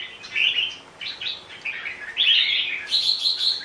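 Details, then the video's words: Red-whiskered bulbul singing a run of short, bright warbled phrases, some rising and falling, with brief pauses between bursts and a clearer, louder phrase near the end. "Chào mào bông"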